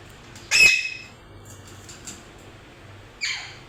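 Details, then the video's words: One loud, grating squawk from a parrot, then near silence with faint rustles before a shorter, softer squawk near the end. "Parrot making noise||parrot real sounds"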